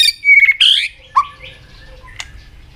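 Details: White-rumped shama training song, played to stimulate a shama to sing fast, intensely and in many voices: a long clear whistle, then a buzzy burst, a dipping whistle and a sharp high note over quiet low hum.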